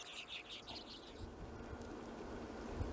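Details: Hornemann's Arctic redpoll recorded in Greenland in 2017, giving a brief burst of bright, high chirping notes in the first second, then near-silence with faint low rumbles and a soft knock at the end.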